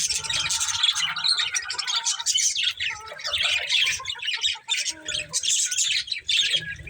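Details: Budgerigars from a breeding pair produce steady, dense, high scratchy chatter mixed with short chirps throughout.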